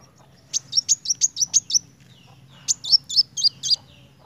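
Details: High-pitched 'narung' song of a sunbird known as kolibri wulung. There are two bursts of rapid, sharp, shrill chips, seven then six notes, separated by a pause of about a second, over a soft background hum.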